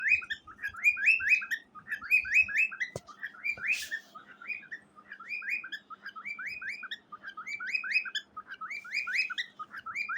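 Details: A cockatiel sings to a gray baby cockatiel: a steady run of bright, rising whistled chirps in quick repeated phrases, with a couple of brief clicks and a soft background hum.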